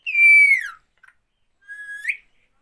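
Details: Parrot whistling: a loud clear whistle held briefly then falling in pitch, a short pause with a faint blip, then a softer whistle that rises sharply at its end, in a quiet setting.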